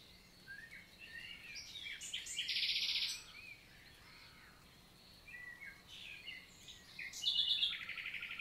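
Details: Summer morning song of a common nightingale (Luscinia megarhynchos), 11 June 2023, Lot, south of France, Célé valley forest; varied short chirps, a brief harsh buzz, quieter notes, then a fast rattling trill at the end.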